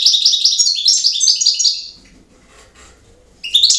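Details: Campero-style song of a European goldfinch. A rapid, high, jingling twitter of repeated notes runs for nearly two seconds, then a pause with faint low background noise, and a new burst of twittering starts at the end.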